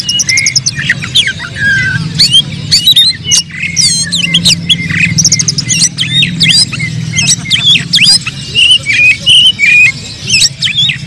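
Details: Oriental magpie-robins sing while fighting, a sound meant to stir up emotion. Long stretches of varied whistled phrases with rising slurs, quick trills and scratchy notes play over a continuous low hum.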